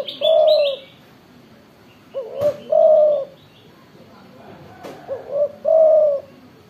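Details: Spotted dove with a loud voice: low, hollow coos in repeated phrases, each ending in a longer drawn-out note, about every three seconds, with sharp clicks and a noisy background.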